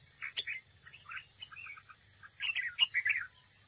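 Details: Decoy red-whiskered bulbul singing competitively at a trap: short chirpy, warbled phrases, soft at first, then a louder burst of quick slurred notes near the end, with a steady high hiss behind.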